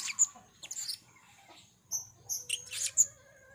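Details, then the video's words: Short shrill chirps and squeaky upslurred notes, a cluster at the start and another near the end, given by a blue-crowned hanging parrot of the 'rintik merah' sort in lively gocor calling; faint hum beneath. "serindit rintik merah gocor"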